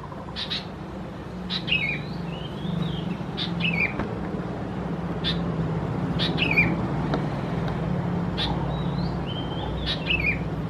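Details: Juvenile sooty-headed bulbuls (thais) at Khao Yoi, Phetchaburi province, Thailand, mid-June 2020: repeated sharp notes each followed by a falling slurred call, over a steady low engine-like drone.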